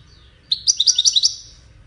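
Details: Brief burst of seven quick, bright, tinkling notes from a wedani European goldfinch, a compact twittering phrase over a quiet background hum.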